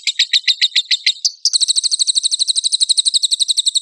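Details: Lovebird in full song, used as a lure to provoke other lovebirds to sing, with rough bursts. Choppy, sharp notes give way after a brief pause to a rapid, very high, steady trill of chirps.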